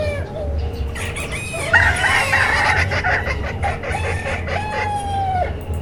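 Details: Flock of assorted chickens calling together: overlapping clucks and stretched, wavering crow-like notes, one long level call near the end, over a low steady hum.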